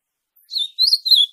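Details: Ultramarine grosbeak (azulão) song, played to stimulate other azulões to sing: three clear, slurred whistled notes. The first is short and falling, and the next two are longer and warbled. Each is close to the last, with no other sounds.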